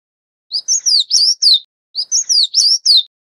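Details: Oriental magpie-robin (Copsychus saularis) while feeding chicks gives two quick bursts of varied, sweet whistled notes, rising and falling, about a second each and a second apart; nothing else is heard.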